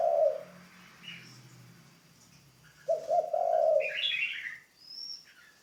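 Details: Decoy spotted dove in training: the tail of one low, rolling coo opens the recording, then a fuller phrase of several throaty notes follows about three seconds later, with thin high chirps and twitters from other birds around it.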